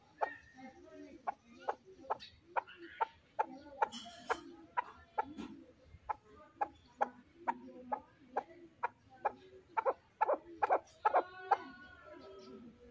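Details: Chukar partridge kept as a fighting bird, giving a long run of crisp, regular chuck notes that become denser and louder toward the end.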